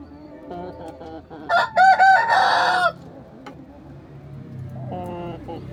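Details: Rooster crowing in its coop: a loud, strained crow of a few rising and falling harmonic syllables lasting over a second, with soft background music and low clucking around it.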